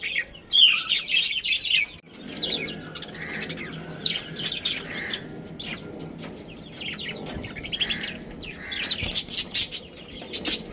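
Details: Colony budgerigars, including a breeding pair, chattering in bright high twitters; loud scratchy bursts at the start and end, quieter murmuring chirps in between, with a few lower rounded notes.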